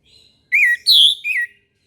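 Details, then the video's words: A single morning phrase from an orange-headed thrush: three loud, clear whistled notes, the middle one highest, the last falling away. "PANCINGAN ANIS MERAH TERBARU 2022"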